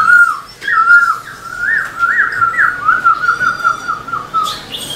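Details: Black-throated laughingthrush singing in a cage while moving its tail: continuous mellow whistles, rising and falling in linked swoops and short rolls, ending in a brief harsher note.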